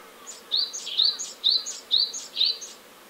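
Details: Great tit singing near its nest box, driving sparrows from its nesting territory: bright two-note phrases, a high note then a lower one, repeated about five times in quick succession over a quiet background.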